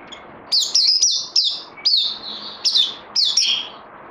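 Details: Songbird in training, recorded 18 May 2020, singing bright whistled phrases that slide downward, given in short bursts about every half second with brief pauses between them.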